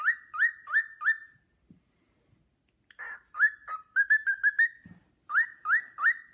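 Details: Cockatiel kept as a pet whistles the Sportpalast Waltz melody, adored by another cockatiel; bright swooping whistles in rapid runs of four, a pause, then a rising trill-like phrase, with a couple of soft thumps in between.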